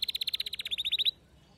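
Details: Domestic canary, a female's mating call alongside a male's song: a steady, fast run of about fifteen bright pulsed notes that grow slightly louder, then stop.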